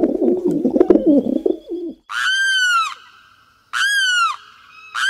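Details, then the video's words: A Limpkin, a Brazilian bird, gives two loud, wailing screams, each under a second and slightly falling, about two seconds apart, after a brief low voice at the start. "Canto do carão"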